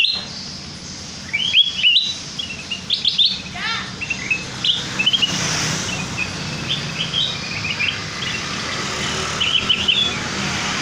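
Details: Lure recording of a sooty-headed bulbul, used to draw out other birds' full song: bursts of rapid, bubbly whistled notes rising and falling, grouped in lively phrases, with quieter chirps later over constant low rumble and hiss.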